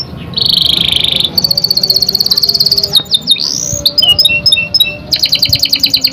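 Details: Young canary song meant to lure other canaries into singing: a buzzy, wavering tone, then a rapid rattling trill, swooping whistles, scattered clicky chirps and another quick trill.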